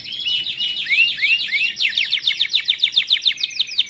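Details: Timbrado canary singing for training: a few slurred whistled notes open into a dense, fast trill of short repeated notes, steady and bright throughout.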